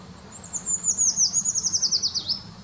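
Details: Eurasian treecreeper song, recorded in February 2019: a rapid run of about a dozen very high, thin notes sliding steadily downward in pitch, ending in a brief lower flourish. A quiet low background hum is also present.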